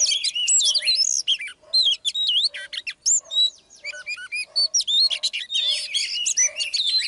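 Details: Female Oriental magpie-robin singing to make a male sing hotly; a continuous, rich stream of fluted whistles, slurred upward notes and fast chattering, with a faint low hum underneath.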